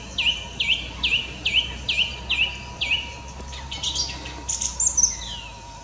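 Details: Mistle thrush singing at Pateira in Espinhel on 16 March 2017, a bird that sings at daybreak and sunset. A quick series of seven identical high, down-slurred notes is followed by varied higher twittering notes over a steady low hum.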